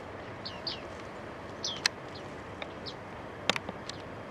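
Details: Flock of bearded reedlings (Panurus biarmicus), focus on one male, early autumn at Newport Wetlands reserve: scattered short, high, down-slurred pinging calls, several in four seconds, over steady rushing background and a few sharp clicks.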